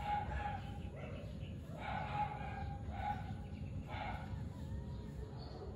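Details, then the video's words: A zebra dove gives soft, burry cooing phrases repeated about once a second, over a steady low background rumble, recorded 25 September 2021. "Zebra Dove"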